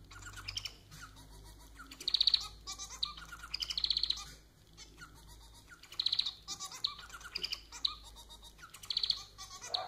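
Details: A pet society finch, Lonchura striata domestica, singing a phrase of thin, high chirps and scratchy buzzes. The phrase is repeated roughly every two seconds, with quiet gaps between bursts.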